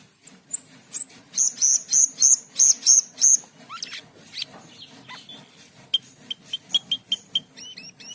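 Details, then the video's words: Asian pied starling song opening with a run of about eight loud, evenly spaced high whistled notes, then rough chatter and a series of short clipped whistles repeated several times a second. "Cucak keling gacor teler | Jalak keling"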